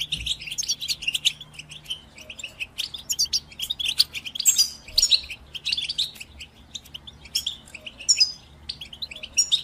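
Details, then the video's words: Singing European goldfinch, recorded for listening and training birds: a long run of rapid, high, twittering chirps and short trills, with a few sharper, louder bursts midway and a faint low hum underneath. "The finest goldfinch chirps and songs for listening and training birds"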